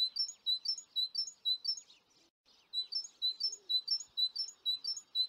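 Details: Recently fledged great tits, 25 June 2019, calling in quick series of high, sharp chirps roughly twice per second, broken by a brief quiet gap before the chirping resumes.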